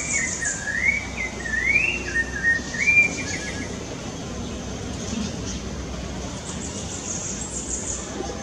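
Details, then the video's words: Rufous-bellied thrush song in a Rio de Janeiro park, Brazil, October 2019: a few seconds of undulating, clear whistled phrases, then only constant background roar of traffic and city noise. "sabiá laranjeira cantando"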